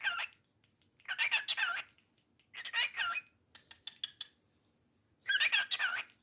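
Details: Captive cockatiel giving repeated loud, rasping squawk bursts, each about half a second to a second long, separated by short silences, with one softer broken burst in the middle.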